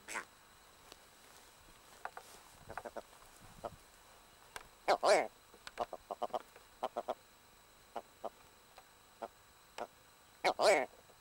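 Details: Red grouse in the Cheviots near a nest: scattered soft clicking and ticking notes, broken by two loud, rasping, broadband croaks about five seconds apart.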